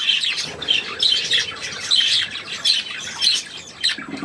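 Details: Budgerigar chatter recorded on 3 April 2017: dense, scratchy warbling with quick chirps and squawks, rising and falling in bursts roughly every half second to second, with no quiet gaps.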